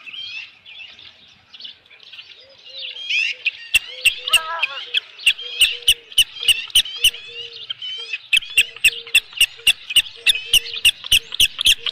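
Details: Osprey at the nest with a large headless fish, evening of 15 July 2018: high squeaky chirping that becomes a rapid series of clicky chirps, about three a second, with a low, soft tone repeating underneath.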